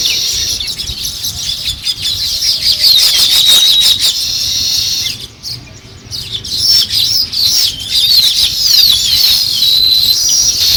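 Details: Sparrows chirping as they start to build a nest: a dense, continuous chorus of high, overlapping chirps and twitters, with a brief quieter dip near the middle.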